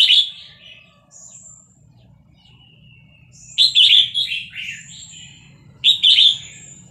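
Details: Vietnamese red-whiskered bulbul kept as a cage bird, singing in the fast 'tor dok' linked-phrase style. It sings excitedly along to a played recording of hatched chicks: three bright, chirpy warbled bursts with thin, high drawn-out whistles between them, over a low hum.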